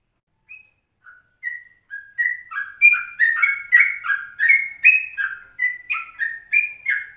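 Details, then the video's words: Early-morning 04:30 yellow-vented bulbul lure recording: the song starts with a few soft, spaced whistles, then builds into a loud, fast, chattering series of warbled notes that rise and drop in pitch. "Pancingan 04.30 Trucukan Rekaman Pagi"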